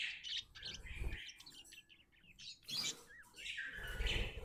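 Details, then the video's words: Chirping from a happy budgerigar: quick twittering notes and short warbled phrases, broken by low thumping background noise. "Happy budgie chirping sounds"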